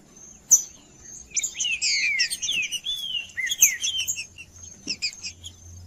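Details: Green-winged saltator (trinca-ferro) male in full 'macheando' song, meant to excite other birds into singing: loud looping whistled phrases sliding downward, then a few sharp chips, over a constant faint high whine.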